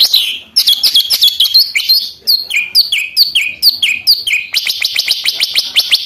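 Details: Lesser green leafbird in continuous lively song, meant to rouse other birds to sing and to serve as a model for them. It opens with a falling whistle, continues with repeated chirp-and-slur notes in steady rhythm, and ends with a fast, even trill of sharp ticks.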